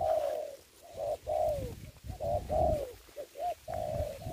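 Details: Spotted dove calling as a ground decoy in trapping, COVID-19 season. Loud, drawn-out coos slide slightly downward, broken by brief pauses and a few shorter clipped notes, against a quiet background.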